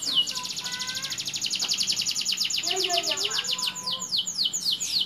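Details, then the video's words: Local canary sings a fast, bright trill of rapid repeated notes, high-pitched and sustained, ending in sweeping chirps, used as a lure song to stir canaries lacking breeding drive; faint background murmurs. "BURUNG KENARI LOKAL super GACOR NGEREK BETINA"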